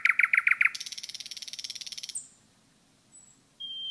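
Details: Common nightingale in a forest: five rapid loud notes give way to a long fast buzzing rattle lasting about a second and a half, then quiet and a thin high whistle.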